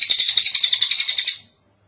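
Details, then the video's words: Tengek cililin kingfisher, recorded as a long tutor call for other birds to learn: a rapid, buzzy rattle of evenly spaced notes, about a dozen in just over a second, that fades out into silence. "Suara Burung tengek cililin panjang buat masteran burung"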